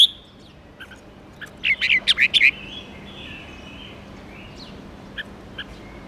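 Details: A red-whiskered bulbul, kept as a pet songbird, sings a rapid 'ché' phrase meant to fire up other bulbuls: a brief run of about six quick chattering notes, then faint scattered chirps and a thin drawn-out whistle.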